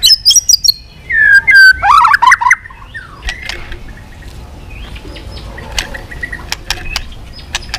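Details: White-rumped shama, stirred to sing hard and flicking its tail nonstop, gives a swift-like 'kéo dây yến' song with voice changes: high whistled notes falling into a loud rich warble over the first three seconds, then quiet scattered chips.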